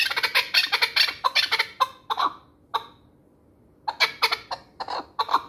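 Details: Chukar partridge of the Pamir, kept for hunting, gives bursts of sharp, harsh clucks, pauses in near silence for about a second, then resumes the clucking series.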